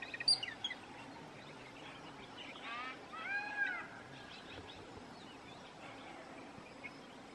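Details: A jungle babbler gives rough, buzzy squeals in two short outbursts, each grating and wavering. A few sharp high chirps open the recording, and a faint steady hum runs underneath.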